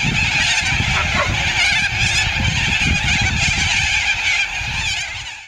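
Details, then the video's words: Thousands of corellas plaguing the suburb of Andrews Farm in Adelaide's north, Australia, screech nonstop, harsh rasping cries piling into one continuous din over a low background rumble. "Corellas invade Australian suburb in their thousands"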